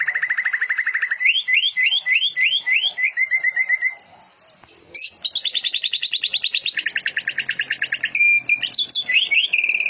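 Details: Greater green leafbird (cucak ijo) singing canary-like phrases with cililin and lovebird elements in dense rapid bursts: a fast trill, a string of upslurred notes, a short pause, then long high and lower trills and varied chips.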